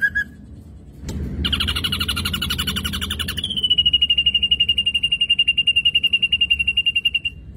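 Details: Ashy drongo in active song for luring other birds: a short note and a click, then a loud rapidly pulsing trill that settles into a long even rattle of quick repeated notes.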